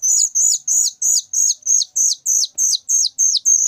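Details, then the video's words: Very loud whistling thrush chick giving sharp, high, thin notes, each with a quick downward slur, repeated steadily about three times a second in a clean series with no other sounds. "suara anakan burung ciung Batu sangat nyaring"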